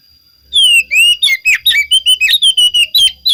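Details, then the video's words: Oriental magpie-robin (kacer) song meant to provoke other magpie-robins to reply: a loud burst opening with long descending and rising whistles, then quick varied chirps and slurred notes in rapid succession. "Pancingan Suara Kacer Pasti Kacer Anda Nyahut"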